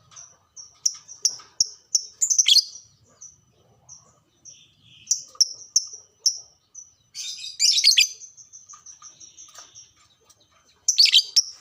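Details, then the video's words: Lovebird sounds played to stir caged lovebirds into arousal and frequent singing: a string of shrill, high piping notes about twice a second, broken by bursts of harsh, scratchy chatter. "pancingan burung LOVEBRID"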